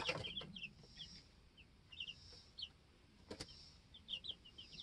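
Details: In a homestead coop, two-week-old baby chicks chirp with quick high peeps, some doubled or tripled, while soft clicks and one louder tap sound from the bedding.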